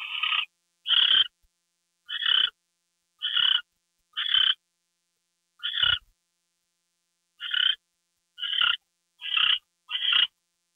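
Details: Owl at a gopher delivery, 2 February 2013, 10:43 PM at night. About eleven short, rough, hissing screeches repeat roughly once a second, with a brief pause midway through the sequence.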